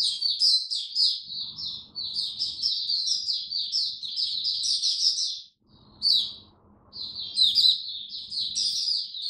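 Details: High, rapid twittering song from a caged oriental white-eye kept on a diet adjusted for cold, rainy weather, a long continuous warble that stops briefly and then resumes with bright, piercing notes.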